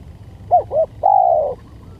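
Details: Lure recording of a spotted dove (tekukur): a short doubled coo, then a long, even coo lasting about half a second, with low-pitched hum beneath.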